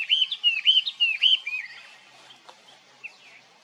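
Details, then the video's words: Chinese hwamei, a wild bird, giving loud clear whistled phrases: a run of about five repeated rising-falling slurred notes in the first 1.5 seconds, then quieter, with a couple of faint notes near the end. "ガビチョウの鳴き声The sound of a Chinese Hwamei"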